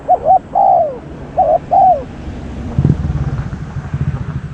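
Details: Two cooing phrases from a decoy spotted dove, short stuttered note then a sagging coo, followed by rumbling engine-like noise.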